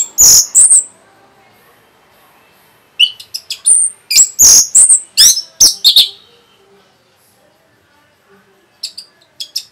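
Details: Orange-headed thrush delivering rapid song meant to stir other birds: a short loud opening, a pause, then a fast run of high whistles and harsh notes, ending with a few faint distant chirps.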